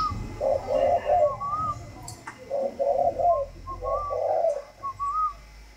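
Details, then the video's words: Tame spotted dove of the northern Vietnamese 'thunder voice' style, cooing in low, husky phrases in two runs of three to four notes with a pause between; thin whistled notes sound above it and a faint hum runs underneath. "chim cu gáy giọng sấm miền bắc"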